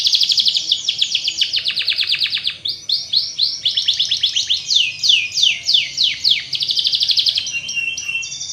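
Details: Canary song used as a lure to make other canaries sing fast and roll: rapid high trills of repeated notes, switching between buzzy rolls and sharp downward-sweeping chirps, sustained without pause.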